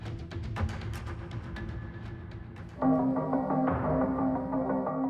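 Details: Quick wooden percussive taps give way to sustained musical tones and chords; no animal voice is heard.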